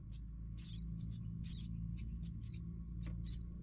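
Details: Nestlings begging as the mother bird arrives with food: separate sharp, very high squeaks, a dozen or so spaced irregularly, against a steady low droning hum.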